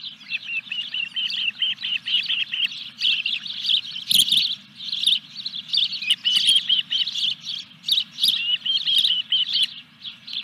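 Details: Osprey at a nest at Dunrovin Ranch, 14 July 2021, with a fish being delivered: nearly continuous high, urgent chirping in pulsing bursts, plus a brief thud of movement midway. Steady low hum behind.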